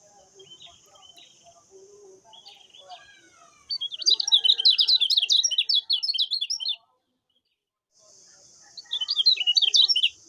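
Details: Common iora master song for training other birds: after a faint quiet start, a loud burst of rapid, chattering high twitters runs about three seconds, pauses, then resumes briefly, over a steady high hiss.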